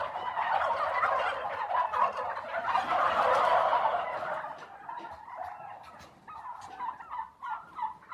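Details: Turkey gobbling: a loud rapid rattling burst of gobbles, strongest in the first four seconds, then softer, quicker stuttering notes trailing off.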